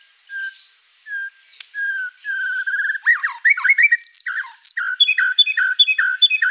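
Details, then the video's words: White-rumped shama singing actively with many varied phrases: slow clear whistles at first, then a rapid run of rich whistled and trilled notes, some dropping steeply, growing busier and louder toward the end. "MURAI BATU GACOR ISIAN BANYAK"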